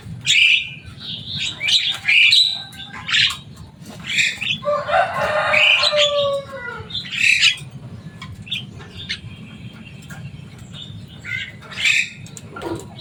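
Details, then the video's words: Captive Javan myna with a loud, rowdy voice, said to copy human speech, mixing sharp squawks, a long dense rasping chatter with downward whistles, and sparse high notes later on. "Burung jalak kebo selain suaranya yang rame ada kelebihan nya bisa bicara"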